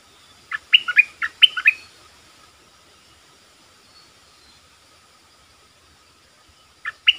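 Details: A Streak-eared bulbul lure bird calling wild birds, 'sap dok' and 'rik' styles: a lively series of six chirpy, whistled notes, a long quiet gap of about five seconds, then a couple more notes begin.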